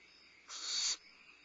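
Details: Midnight meal of a limping young barn owl at Starr Ranch, May 2011: one loud, breathy rasping hiss of roughly half a second that swells toward its end, then stops abruptly; a constant chirring of insects continues beneath.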